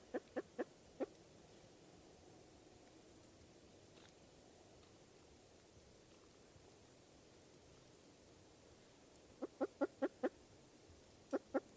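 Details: Eastern North American spruce grouse, Canada: a quick burst of four clucks opens, followed by a long quiet stretch with faint background hiss, then two more rapid clusters of sharp clucks near the end.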